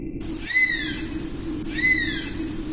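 Oriental honey buzzard giving two high, thin whistles, each sliding downward, about a second and a half apart, over a steady low hum.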